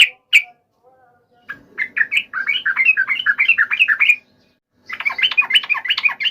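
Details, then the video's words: Fighting song of a yellow-vented bulbul, used to trigger an instant answer from other bulbuls: two sharp opening notes, a silence, then a long lively chatter of warbling, rising and falling phrases, pausing before another busy burst. "trucukan gacor TARUNG FULL EMOSI TAJAM ini ampuh MENJADIKAN agar burung trucuk gacor NYAUT SEKETIKA"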